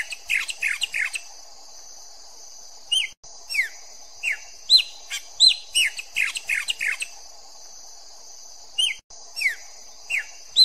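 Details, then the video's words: Chopi blackbird (pássaro-preto, Gnorimopsar chopi) sings pure song: loud, clear whistled notes, many sharply falling, in quick bursts of several notes with short pauses, over a steady high insect-like hum. "PÁSSARO PRETO - Canto Puro"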